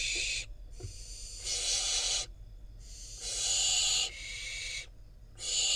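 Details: Wild fledgling barn owl in Israel, parents delivering a rodent: repeated hoarse hissing screeches of one to two seconds, alternating louder and softer, with a faint tap near the start.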